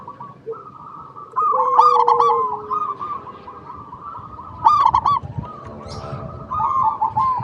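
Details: Zebra dove song, local type, meant to draw replies from other zebra doves: bubbling trilled coos over a low steady whistle, broken by bursts of bright chirping from other birds.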